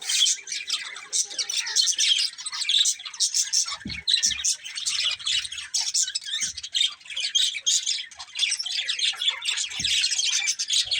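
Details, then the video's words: Several budgies chatter continuously in fast, buzzy, scratchy warbles mixed with sharp chirps, with a couple of faint low knocks in the background. "Cute Budgies Chirping Sounds"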